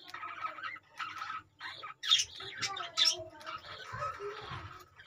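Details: Caged budgies give an irregular chattering warble of chirps and short squawks with brief louder high notes, separated by short pauses.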